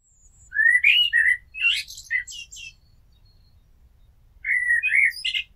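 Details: Common blackbird (Turdus merula) singing: two bursts of rich, fluting warbled phrases with varied slurred notes, each ending in thin high twitters, separated by a pause of about two seconds.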